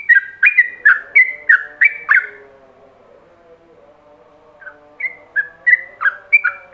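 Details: Yellow-vented bulbul in ropelan-style master song, used as a lure for other bulbuls to copy: a burst of seven quick bubbly whistled notes, a pause of about two seconds, then six more, over a faint low steady hum.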